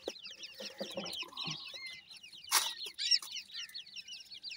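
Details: Several grey francolin chicks peeping continuously, high sweet chirps slurring downward in quick succession, with a brief louder rustle midway and a few low soft notes beneath.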